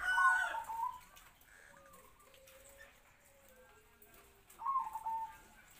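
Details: Zebra dove decoy bird, captive-bred about three to four years, calling to lure wild doves; a trilled coo phrase opens and another closes, with soft lower whistled tones in between.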